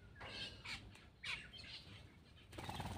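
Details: Black-winged myna eating, uttering several rasping, squawky bursts in quick succession, followed by a loud rustling, flapping noise.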